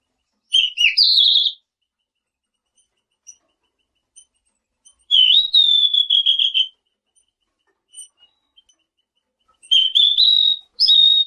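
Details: Three separate whistled phrases from a selendang biru bird, several seconds apart: a dipping then jumping whistle, a long steady high tone, and a rising slurred note; faint short peeps in between in an otherwise quiet setting.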